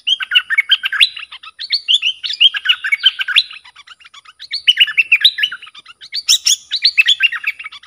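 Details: Bulbul song, also used to call in wild birds and teach young ones its sap dok, boen and rik styles. Continuous chattering, warbled whistles run in several bursts of rapid notes over eight seconds.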